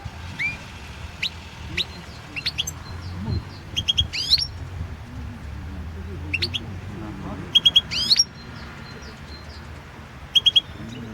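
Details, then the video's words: European goldfinch singing for the 2016 goldfinch song world championship: scattered high twitters, brief rising whistles and rapid triple chirps, irregularly spaced, with a faint low hum throughout. "World championship in Goldfinch Song 2016"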